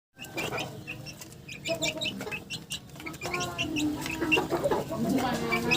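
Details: Chickens in a yard, with many overlapping short clucks and high chirps beginning after a brief silence, growing busier and denser toward the end over a low background rumble.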